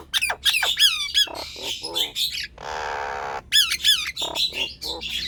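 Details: Nias hill myna song intended to stir lazy birds into singing: bright looping whistles, clicks, then a long steady nasal buzz lasting about a second before more whistled squeals.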